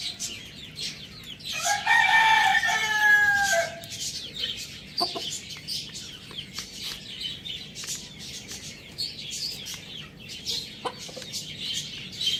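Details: A rooster gives one loud, harsh, drawn-out crow lasting about two seconds, followed by scattered clucks and small chirps from other birds.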